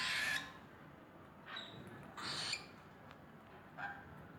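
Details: A tame pet female sun conure playing with cockatiels gives harsh, grating squawks, loudest at the start, then shorter raspy bursts.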